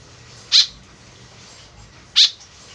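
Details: Two loud, harsh, buzzy high notes about one and a half seconds apart, white-breasted woodswallow calls used as a lure, faint hiss behind.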